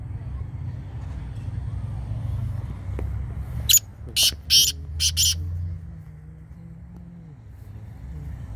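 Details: Black francolin (kala teetar) giving a harsh, grating call of five loud scratchy notes in quick succession, the last two paired, over a low rumble of background noise.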